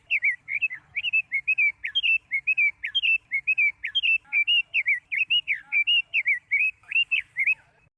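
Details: Female Chinese hwamei singing to stimulate males: a fast, varied chatter of short slurred and twisting notes, about one per second, with brief rising and falling whistles running continuously throughout.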